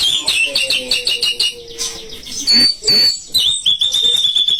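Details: White-rumped shama song used to provoke rival birds, fast ticking chatter at first, then clear high whistles and a sustained thin whistled ending.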